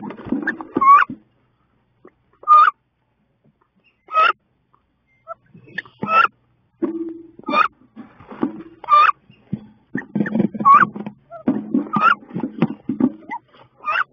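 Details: Wood duck, two females fighting in a nest box on 16 May: a long series of high, rising squeals every second or two over low scuffling, thumping and flapping that grows busier toward the end.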